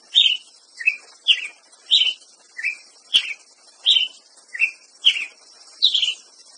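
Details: A Ruby-crowned Tanager (Tachyphonus coronatus) repeats about ten short, sharp chipping notes, one every half-second or so, alternating slightly higher and lower, over a steady high hiss.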